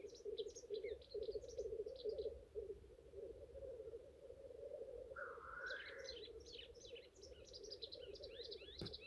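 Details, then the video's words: Black grouse at a lek in courtship display, a softer bubbling coo beneath lively high chirping from other birds, with a rising whistled note in the middle. "Black grouse lekking behaviour"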